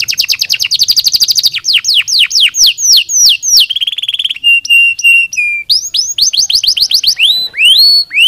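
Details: A canary (Serinus canaria) sings in quick-changing phrases: a fast chattering trill, then ringing downslurred whistles, a steady pure note and rising sweeps, each tour lasting about a second.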